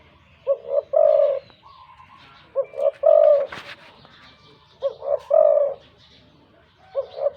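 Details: Decoy spotted dove, originally wild, calling with a deep voice: paired short coos leading into a long, rolling note, phrases spaced about two seconds apart, with a clatter and faint chirping between them.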